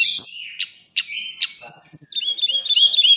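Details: White-flanked sunbird, tame and chattering, gives sharp high chips about every half second, then a rapid thin twittering run of closely packed notes.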